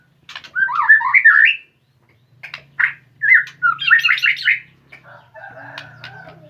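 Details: White-rumped shama starting to deliver its fighter song: harsh, warbling squawky phrases in quick rolling bursts, pauses between, over a faint low steady hum.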